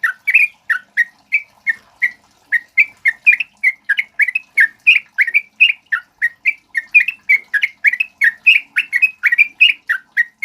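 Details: Male sooty-headed bulbul singing nonstop, used to lure and tutor other birds: rapid bubbly chirped notes around the mid range, each rising or falling, delivered in a dense unbroken run for about ten seconds.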